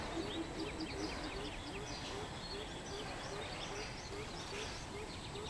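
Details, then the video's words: Repeated deep hoots from a greater coucal, dated 13 June 2020, steady pulses around two per second across the whole stretch, mixed with high twittering birds and faint background noise. "Greater Coucal [អែអូត]"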